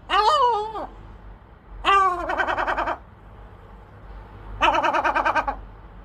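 A gull gives a drawn-out, arched mewing cry, then two bursts of rapid, nasal 'ha-ha-ha' notes, each about half a second long, over a faint low hum.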